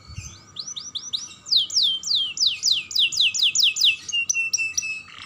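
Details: Young canary singing lively stimulus song to spur other canaries: a run of quick upswept whistles, then louder descending sweeping notes repeated several times a second, ending in flat buzzy tones and a short noisy burst.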